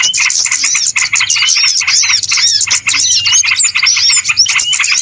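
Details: Small birds calling in a trapping lure recording: busy, overlapping high twitters in pulsed bursts, with curved whistled notes and upslurs scattered through the dense flock noise.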